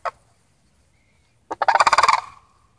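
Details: Sandhill cranes, part of a visiting family, call once with a short note, then after a pause give a loud, purring rattle of roughly a dozen fast, rough pulses that trails off over about a second.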